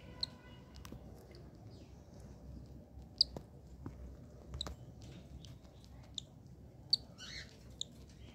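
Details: Newly born yellow cockatiel chick on its first day: faint, very short high squeaky peeps scattered irregularly, one slightly longer falling chirp near the end, over soft rustling and a few sharp clicks.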